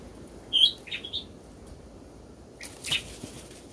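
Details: Bulbul chicks in a nest while being fed; a few short high chirps near the start, then a sharp burst with wing flapping near the end, quiet between.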